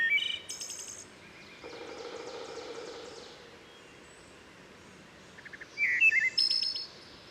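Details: Wood Thrush singing at Herring Run stream in Susquehanna State Park near Havre de Grace, Maryland, where forest and steep stream add rich reverberation: short fluty, ringing phrases with a woodpecker's tapping percussion between them.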